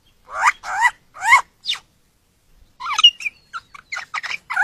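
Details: Courting superb lyrebird, an Australian songbird, gives three loud rising-falling harmonic notes, then a pause and a quicker varied jumble of short chirps and warbles.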